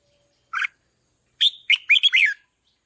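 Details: Singing red-whiskered bulbul, trained to call loudly to rouse decoy birds: a single short note, a pause, then a fast jumble of clear rising and falling whistles.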